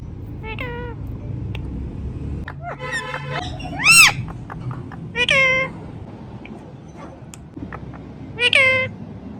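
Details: Talking Indian ringneck parrot kept as a pet, giving natural calls: three loud, drawn-out, arching nasal calls spaced a few seconds apart, with softer chatter and faint low room noise between them.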